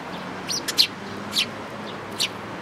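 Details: Sparrows gathering at food at a Tenmangu shrine on 11 April 2018; sharp, high chirps come singly and in short pairs a few times, with a quiet background hum.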